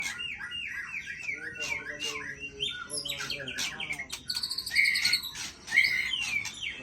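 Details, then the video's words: Aceh white-rumped shama singing at full voice and unloading its repertoire of learned phrases, a varied jumble of whistled slurs, rattles and high squeaky notes over a low background hiss. "Murai Aceh Habis Suara Bongkar Isian"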